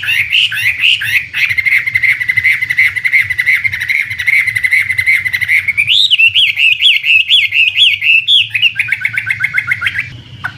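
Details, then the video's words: Chinese hwamei, a premium imported contest bird, pours out a long, loud song: a rapid sustained warbling trill on one pitch for several seconds, then higher rising-falling whistled phrases, a fast chattering run and a final downward slur. "Suara Burung Wambi (Chinese Hwamei)"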